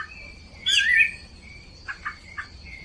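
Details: Rufous-bellied thrush, a female stimulating the male to sing: one short, bright whistled phrase that slides and falls, then three brief lower soft notes. A steady high thin tone runs throughout, with a faint low hum.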